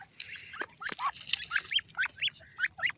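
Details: Red golden pheasant giving quick, sharp, nasal notes that rise and fall, about four a second, in a chattering run with a faint hiss behind.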